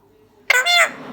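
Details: An Alexandrine parakeet that talks 'oh buddy come here' gives one harsh, nasal, speech-like utterance lasting about a third of a second, with a rasping tone and rich overtones, after near silence.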